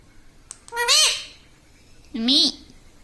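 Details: Talking pet parrot saying "Mummy": two rasping, speech-like syllables roughly 1.3 seconds apart, the first higher and bending, the second lower and rolling, with a few soft clicks between.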